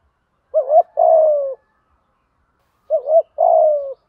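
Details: Spotted dove giving a 'thúc gù' urging coo, used as a lure to train newly caught or long-kept birds that refuse to call; two phrases, each a short wavering double note followed by a longer low falling coo, about two seconds apart.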